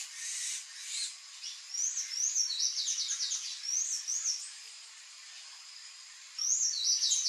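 Palm tanager song: a rapid run of high, thin, squeaky notes with quick rising slurs, pausing briefly before resuming.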